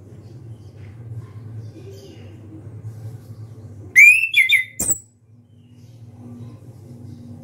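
Orange-headed thrush giving a loud burst of rich, slurred whistles and sharp high notes lasting about a second, over a low steady hum.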